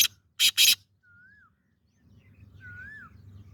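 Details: Breeding call of a male black francolin, three loud grating, buzzy bursts, the last two close together, followed by two soft slurred whistles from another bird over faint low background hum.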